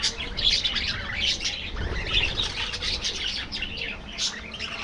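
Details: Many budgies chatter together in an aviary: rapid high chirps and scratchy warbles pour out steadily, with faint low rumble underneath.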